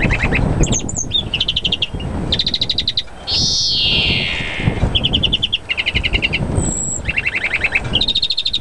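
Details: European greenfinch singing excitedly in mating season: repeated quick high trills in short runs, broken by one long drawn-out wheezy note, with constant background noise.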